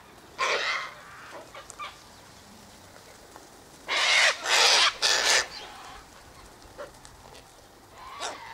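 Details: Sulphur-crested cockatoo feeding by an eastern gate on sunflower seeds, wheat and birdseed mix tossed out for it and other birds; a short harsh screech, then a quiet spell, then three loud rasping squawks close together.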